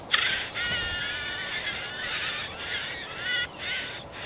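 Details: Marsh warbler feeding chicks, recorded 30 June 2020 in Kalinovsky forest park, Yekaterinburg; loud, harsh, buzzy rasping calls in long continuous bursts, broken by two short pauses.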